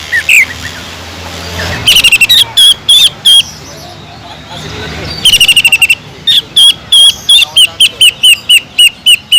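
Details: Greater green leafbird lure song with kingfisher imitation fill: clusters of quick chirps, then a steady run of clear, down-slurred whistled notes repeated roughly four times a second, following a quiet stretch with low background sound.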